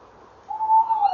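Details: Tawny owls calling at a nest box at 19:22 on 28 November 2013, female at the box and male flying in: one drawn-out, mid-pitched hoot that holds steady, then dips slightly; otherwise quiet.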